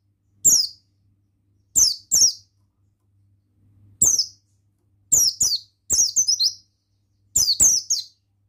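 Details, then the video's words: A male buxtoni Oriental white-eye delivers high, thin, downward-sliding chirps, alone or in doublets and triplets, spaced irregularly across the stretch, with a soft low hum underneath. "Bustomi Sembur Gacor Suara Ampuh Pemasteran Burung Pleci Bustomi Ngalas Ikutan Bunyi"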